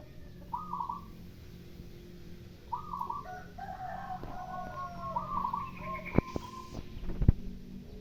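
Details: Local zebra dove (perkutut) in the morning, trading calls with a spotted dove (derkuku): short, soft, mid-pitched cooing phrases, some quickly repeated, with overlapping coos from the second dove and scraping sweeping sounds.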